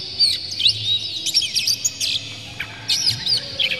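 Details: Lure recording of Oriental magpie-robin, clear harsh song material played to excite other birds into singing; rapid jumbled whistles and chattering notes in quick runs, a brief lull midway, then another busy burst.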